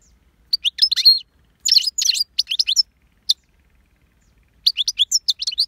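A goldfinch sings in quick bursts of bright, tinkling twitters and chirps, high-pitched and jumbled, with brief pauses between phrases.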